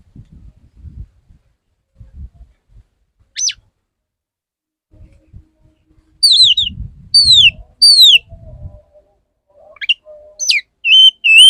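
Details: Male Oriental magpie-robin courting a female: after soft low knocking and rumbling, loud, clear, downward-slurred whistles come in short bursts, about six phrases in the last five seconds, with a few sharper rising notes.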